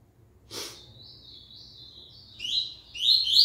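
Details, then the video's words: Double-collared seedeater singing again after the moult: a thin sustained high whistle followed by quick descending-sliding twittered phrases growing louder, with a soft snort-like noise before it. "Coleiro IT voltando após a muda."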